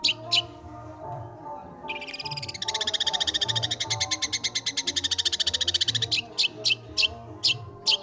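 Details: Energetic, nonstop song of a long-tailed shrike playing with notes: a few isolated sharp chips, then a rapid rattling trill held for about three seconds, ending in spaced clipped notes against a constant low droning hum.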